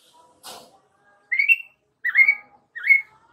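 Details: White-rumped shama lure song for young wild-caught birds: after a faint rustle, three separate slurred whistled notes spaced well apart, each rising then falling.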